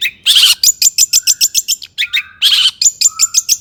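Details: Long-tailed shrike in agitated song to provoke other shrikes: harsh rasping bursts followed by quick series of high clipped notes, with faint low whistles between.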